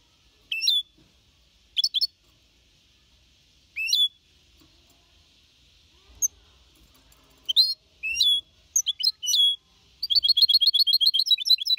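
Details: Young goldfinch mixto, four and a half months, singing a Malaga-copy song to motivate other birds: scattered single sharp high notes at irregular intervals, building into a fast continuous twittering run at the end.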